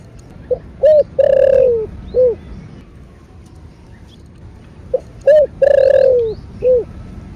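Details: Spotted dove, a caged male used to stimulate other doves, in the Vietnamese 'thổ' voice style: two identical cooing phrases, each a short note, a hooked coo, then a long drawn falling coo and a final coo, about four seconds apart.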